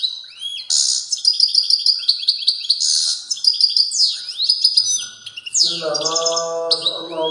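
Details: European goldfinch in strong song: fast, bright twittering of high liquid trills, slurred whistles and buzzy notes in a continuous run, with a lower nasal rolling phrase near the end.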